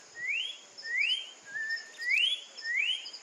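Orange-backed troupial singing five clear, rising whistled slurs, about one every second, over a faint steady high hiss and soft high chirps.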